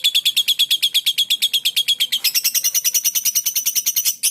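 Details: Pet lovebird of the fighter type, kept at home and still shy, giving a fast chattering song: a long, even run of sharp high chips, about seven per second, first steady and then brighter and more buzzy.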